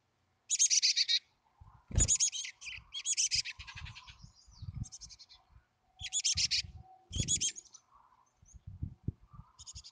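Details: Chickadees at a wild nest cavity near Emigrant, Montana, on July 14, 2022. Several harsh, buzzy bursts of rapid notes come at uneven intervals, mixed with low thumps and scratching from activity at the nest.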